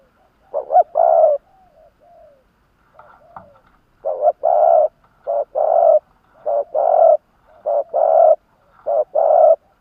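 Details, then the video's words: Decoy spotted dove from Vietnam cooing to lure wild doves. Paired coos, a short note then a longer booming one, come in a steady run after a brief pause with faint softer notes. "Tiếng chim cu gáy kích bổi nhanh nổi"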